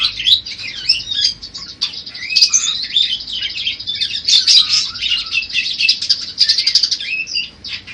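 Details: Budgerigar warble for tutoring other birds to sing: a rapid, unbroken stream of chirps, squeaky whistles and raspy chatter, sometimes swelling louder, with no other sounds evident.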